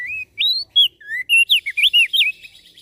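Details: Javan grey-throated white-eye singing briskly, a song said to stir other birds into calling: a quick run of about a dozen sweet whistled notes, each sliding up or down, packed tightly with barely a pause.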